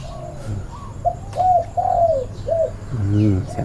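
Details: Caged spotted doves at a large breeding camp: a series of soft, low, rounded coo notes, some gently arching in pitch, given in a loose rhythm, with a man speaking in Thai at the end.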